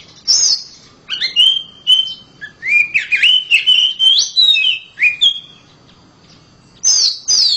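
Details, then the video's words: Oriental magpie-robin kept at home in loud song: a high opening note, then a lively string of whistled, warbling phrases that climb and dip, a short gap, and two high falling whistles. "KACER RUMAHAN KICAUNYA NYARING"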